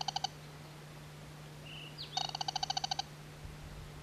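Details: Wild band-bellied crake recorded north of Vladivostok around mid-June 2000: a brief burst of rapid notes, a pause, then a longer fast series of a dozen metallic pulses, with a faint whistle from another bird and constant low hum.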